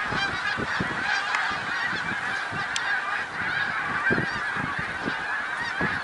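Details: On 1 March 2021 at Middle Creek Wildlife Refuge, Pennsylvania, a great snow goose flock fills the air with continuous high-pitched honking, a few sharp squeals rising above the steady chorus.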